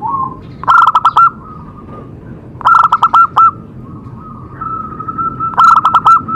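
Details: Zebra dove song played to stimulate other perkutut: three bursts of fast, clipped coo notes, each a rapid run of five or six beats, with thinner sustained coos between the bursts.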